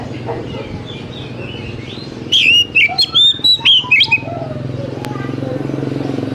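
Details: A basic lure recording of oriental magpie-robin song, meant to make young wild-caught birds start singing soon. After quiet, a burst of about two seconds of clear, sweet whistles, slurred up and down, repeated in quick succession. Faint background hum follows.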